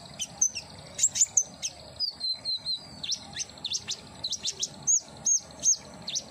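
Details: Common iora kept as a cage bird: high whistled notes with upward hooks and a descending warbled phrase, interspersed with rapid shrill chirps, repeated at a lively, uneven pace.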